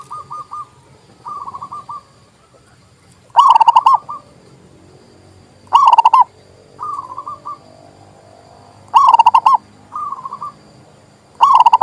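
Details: Local zebra dove used to tutor and lure doves: loud rolling coo phrases every few seconds, alternating with quieter, flatter cooing phrases from a second dove in the background.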